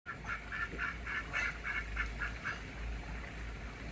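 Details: Pekin ducks quacking and moving their wing muscles at an apartment complex in Oviedo, Florida; a run of about eight short nasal quacks spaced a half second apart over a steady low rumbling background hum.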